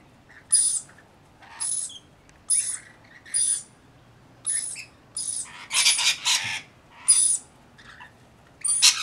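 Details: Rainbow lorikeets, a flock of about 40 tending a single baby, harsh high screeching calls in short bursts roughly every second, several bursts crowding together midway, quiet background between.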